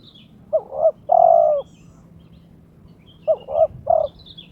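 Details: Owned spotted dove (terkukur) in breeding condition, challenging a rival: one full phrase of two short coos and a long coo, then a partial phrase, with faint high chirps of other birds.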